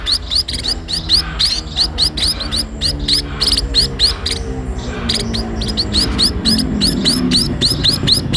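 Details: Sparrow begging while being fed: a rapid, insistent run of short, high, upward-slurred chirps, several each second, pausing briefly midway before resuming, over a low steady tonal background hum.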